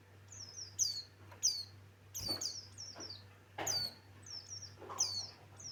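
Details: Male Javan white-eye, the Buxton's white-eye form, singing energetically: series of high, sharp, downward-slurred whistles in doubled and tripled notes, broken by brief rattling thumps, over a constant low electrical hum.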